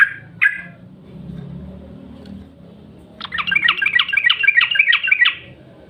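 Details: Yellow-vented bulbul lure call used to prompt bulbuls to sing: a soft note pair at the start, then after a pause a fast bubbly burst of about a dozen repeated chattering notes lasting two seconds, over low background rumble.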